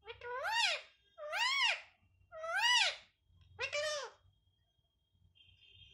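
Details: Talking parrot repeating a Hindi phrase about wanting to eat roti: four arched, strongly harmonic syllables, each rising then falling, spaced roughly one second apart, followed by a faint steady tone.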